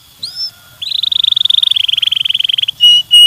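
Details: Canary stimulating song: a faint rising whistle, then a buzzy rolled trill sliding slightly downward, closing with two short steady whistles.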